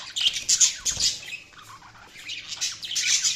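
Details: Budgies chirp in rapid, harsh high bursts, fading into a quieter scratchy warble midway before the chatter swells loudly again.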